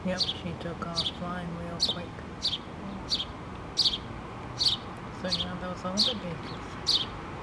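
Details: House sparrows, a mother and two babies in a pole nest, 8-3-2017: regular high descending chirps, about ten, while a person talks quietly underneath throughout.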